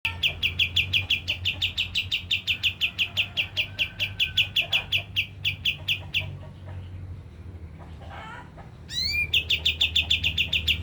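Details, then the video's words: Javan grey-throated white-eye song used as a lure to excite other birds into singing: fast series of sharp chip notes, about three per second, pausing midway, then a rising whistled slur before the rapid chipping resumes over low background hum. "Pancingan kapas tembak langsung emosi dan bunyi"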